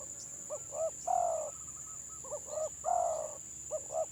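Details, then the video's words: Village spotted dove with broken neck ring sings a stuttering (gagap) coo: quick clipped double notes then a long mellow coo, the phrase repeated twice, with a constant high electrical whine behind. "BURUNG TEKUKUR GAGAP VS GAGAP"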